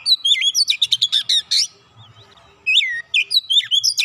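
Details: Oriental magpie-robin, heard in a recording meant to make a silent bird sing. A fast chatter of sharp chips and whistled notes, a short pause, then looping whistled slurs resume.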